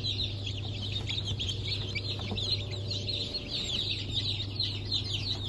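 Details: Many chicks of Blue Brahma, Porcelain Brahma, Sussex and Maran breeds, hatched 1 April 2024, giving nonstop overlapping high-pitched peeps against a steady low hum.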